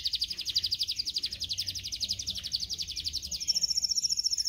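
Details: Canary song used for training canaries to sing, a rapid even trill of sharp pulses, about ten per second, that jumps to a higher, thinner trill near the end.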